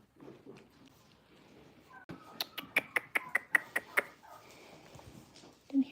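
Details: Turkeys outside, wanting to come in, give a quick run of about eight sharp, yelping notes in under two seconds; a person speaks quietly before and after.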